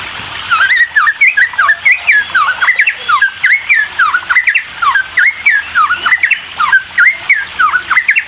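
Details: Cucak timor in energetic, agitated song meant to provoke other birds into singing: rapid chains of sharp V-shaped whistled notes, rising and dipping, repeated densely with barely a pause throughout, in a small indoor space.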